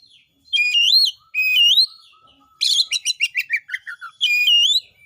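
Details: Song of a 'gacor' oriental magpie-robin, used to draw other magpie-robins into competitive 'narung' singing. Clear slurred whistles alternate with a rapid stuttering series of rough notes, then a further rich whistled phrase.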